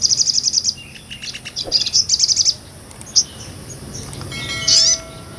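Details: Small nectar-eating sunbird, called sogon, giving 'ngobra' tutor song: rapid shrill high trills in two bursts, then mostly quiet with a single sharp chip and one squeaky high note near the end.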